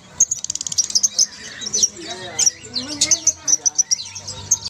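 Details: Group of lovebirds in full chorus, played to prompt a lovebird that has stopped singing: rapid high chirps fired in quick runs, mixed with scratchy twittering and a steady buzz of overlapping voices.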